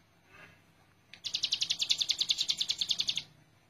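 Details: Master recording of a hill prinia for training birds: after a faint soft note, a two-second burst of quick, shrill repeated chips starts abruptly and stops cleanly.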